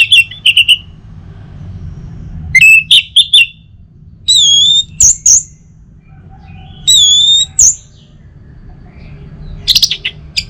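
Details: Orange-headed thrush singing, used as morning playback to stimulate other birds: separate short phrases of bright whistles, some held and wavering, spaced by quiet gaps of one to two seconds.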